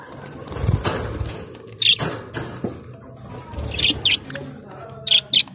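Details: Australian budgerigars in blue, green, red and yellow, giving bright high chirps in quick doubled bursts, with a burst of wing flapping and low rumbling background noise.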